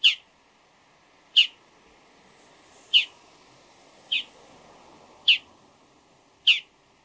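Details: Harsh, clipped calls from a Bull-headed shrike before daybreak, six strident notes at intervals of just over a second, with light background noise between them.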